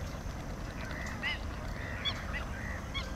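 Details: Bar-headed goose calling in a few brief nasal honks, some with a sharp upward inflection, spaced irregularly across three seconds against a constant low roar.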